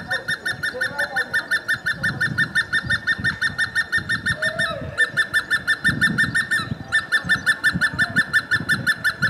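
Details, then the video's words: In Dessie, Ethiopia, a Hemprich's hornbill delivers long bursts of rapid, evenly repeated loud piping notes, roughly three per second, broken by two short pauses, over low background murmur. "Hemprich's Hornbill Calling and Singing"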